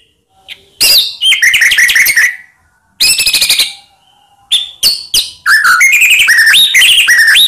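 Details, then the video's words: White-rumped shama song played to make silent shamas sing: sharp chips and whistled phrases in irregular bursts, a pulsed buzzy run, then a lively sequence of slurred up-and-down whistles. "Murai Diam Langsung PANAS Dengar Pancingan Ini"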